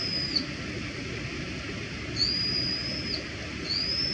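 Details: Wild Brown-eared Bulbul giving its everyday call notes (地鳴き): three thin, shrill, high whistles spaced about one to two seconds apart, each sliding slightly upward and then holding level, over a constant low background rumble.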